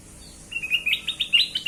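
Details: Kutilang emas bulbul lure song: a swift, rising series of sweet chirps, about ten notes in just over a second, loud and clear.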